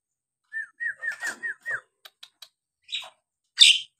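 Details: Nias hill myna singing, played as a lure to provoke lazy birds into singing: a run of six short clear whistled notes, each slurring downward, followed by scattered sharp clicks and two harsh, rasping bursts.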